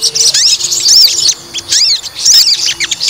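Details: Short burst from a white-rumped shama roused to fight for a test of its temper: clear high looping whistles and downward-curving notes in quick groups, broken by a brief pause midway.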